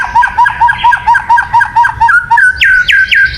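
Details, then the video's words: White-rumped shama sound used for luring birds: a rapid series of about twelve even, nasal chip notes, followed by three rising whistled upslurs. "Suara Burung Murai Batu yang paling baik untuk pikat"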